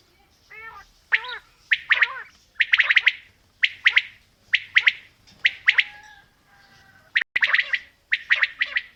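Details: Quail, female and male calling together: it opens with a few curving, wavering notes, then a steady run of bright three-note phrases about once a second, with one sharp click midway.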